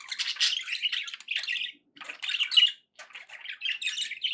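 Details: Happy budgies keep up a steady raspy warble with squeaky chirps, two short pauses breaking the flow, notes jumping between lower scratchy sounds and thin high squeaks.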